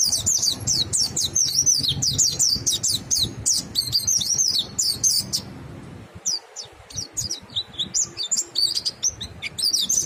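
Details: Ngalas-style song from a mountain white-eye, used to stimulate other white-eyes to sing: dense, rapid high warbling phrases for several seconds, a brief pause, then scattered sharp chirps that resume the twitter.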